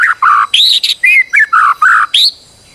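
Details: White-rumped shama, described as a stressed bird used as a lure to make another bird sing: a loud run of rich whistled phrases around mid pitch, some rising and some slurred, in quick succession.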